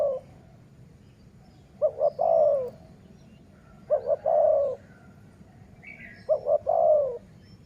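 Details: Dove calling at a decoy-luring session. Three evenly spaced phrases come roughly every two and a half seconds, each two quick notes then a longer falling coo. A faint chirp from another bird is heard.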